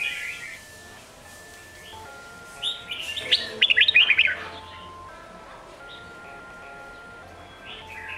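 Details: Sông Kôn style song of a red-whiskered bulbul, used to train young birds. One loud, fast cluster of warbling whistles sits mid-recording. Scattered soft notes before and after, with sustained faint tones in the background.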